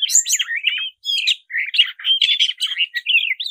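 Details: Oriental magpie-robin, black-breasted type, in combative full song: a dense, almost unbroken torrent of scratchy chirps, trills and wavering whistled notes, each burst lasting under half a second.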